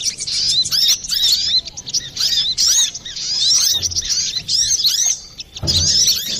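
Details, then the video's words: Lure recording of a noisy, clear-voiced brown-throated sunbird: rapid strings of piercing high chirps and twitters in repeated bursts, with a brief low thump near the end. "Pancingan burung Kolibri Klapa ribut,suara jerni"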